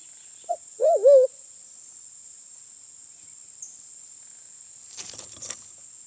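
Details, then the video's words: Lure-call recording of a Sulawesi black pigeon from Sulawesi: a short low hoot followed by a drawn-out, wobbling hooted note. A long silence follows, then a few faint clicks and knocks, over a constant high-pitched hum. "Suara burung merpati hutan/Suara pikat ampuh Merpati Hutan Sulawesi"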